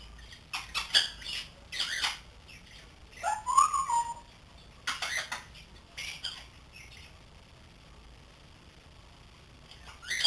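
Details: Young grey parrot, three months old, kept as a pet and learning to talk, gives scattered short raspy squawks and clicks with one brief whistled note in the middle, separated by quiet gaps.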